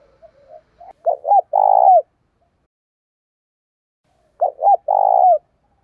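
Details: Decoy spotted dove calling in the 'giọng thổ pha' style to bait wild doves into a fight: soft introductory notes, then two identical low phrases about three seconds apart, each of two quick coos and a long throbbing coo.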